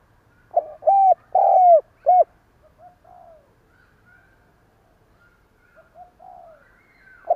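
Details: Decoy spotted dove delivers a loud stammered 'cà lăm' coo phrase of three strong hollow notes after a jerky lead-in, followed by several soft murmured coos and the start of another loud coo at the end.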